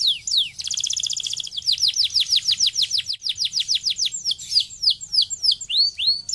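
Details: Canary song for stimulating other canaries to sing: a few swooping notes, a rapid buzzy roll, then a steady run of descending whistles about three per second, loosening into slower varied sweeps.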